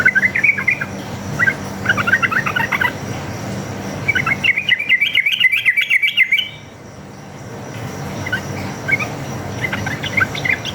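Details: Forest sooty-headed bulbul in chatty, combative 'ropel' style, played to coax others into answering: bursts of bubbly whistled notes, a long rapid rolling phrase near the middle, then quieter scattered notes.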